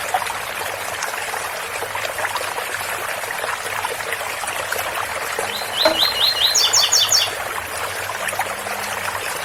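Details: Special tui-tui song in Ouro Fino style from a double-collared seedeater: a brief burst midway of rising whistles turning into rapid higher paired notes, with a steady stream of water trickling from a spout throughout.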